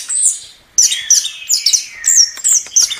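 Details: A brief burst of chestnut-capped thrush song. A high whistled note fades out, then a quick run of sharp, high chirps follows over a lower sustained whistle.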